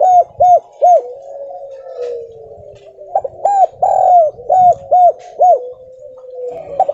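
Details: Spotted dove lure call meant to provoke replies from other doves: short, low, hooked coos in a rapid series, with a long, drawn-out, falling coo between the bursts.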